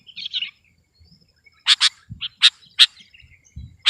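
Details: Sooty-headed bulbul in competition-style song, short bright chirps and sharp, high, clipped notes in quick irregular bursts, with a few soft low thumps between them.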